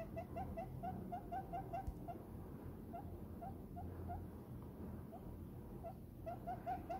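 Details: Short, gentle coos from a pet diamond dove snuggled into a human palm, content. Clipped tonal notes repeat in quick runs at the start and end, with sparser notes between, above a low steady room rumble.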